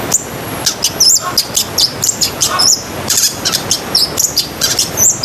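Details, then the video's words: Busy, chattering long-tailed shrike song of very high chirps and quick twittering phrases packed closely together, in the isian sekebun style used to train pet shrikes. "BURUNG CENDET GACOR ISIAN SEKEBUN"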